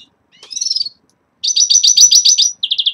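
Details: Caged red-fronted serins at the onset of moult: a descending slurred twitter, then a fast run of about ten buzzy high notes and a closing burst of quick chips.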